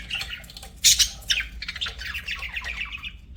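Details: Budgerigars singing indoors as pets: a sudden loud squawk burst, then a string of quick chirping warble notes that descend and repeat in a fast chattering series.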